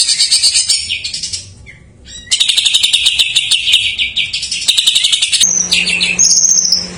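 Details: Greater green leafbird filler song, played to lure and stimulate young or silent birds: loud bursts of rapid buzzy chattering, a short pause, then more trills and slurred whistles, with a low steady hum at the end.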